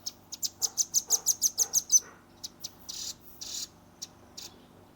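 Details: Juvenile velvet-fronted nuthatch in 'gacor nembak' shooting song, Redmi 10 recording: a brisk series of about eleven sharp, high notes, then spaced chips mixed with brief rustling bursts.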